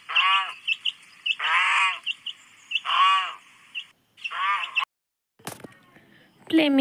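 A goose gives four loud, nasal honks about one and a half seconds apart, followed by a brief pause and a voice speaking.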